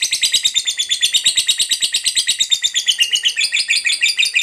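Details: Lovebird of fighter type giving a long ngekek, a chattering song used as a lure so other lovebirds start singing: an unbroken, rapid, high, shrill chatter of pulses, about eight a second, running the whole time.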